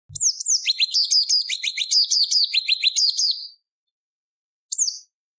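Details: Sooty-headed bulbul, known locally as cucak cungkok, in a lure recording used to prompt captive birds to sing: a rapid run of bright, high, sharply descending whistled notes for about three seconds, then a pause and one more brief note.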